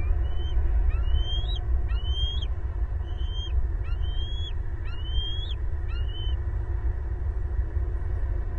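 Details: A loud bald eagle chorus from the nest in southwest Florida, April 2022, family of four at home: about seven clear rising whistled squeals in a row, then fading, leaving only steady low rumbling noise.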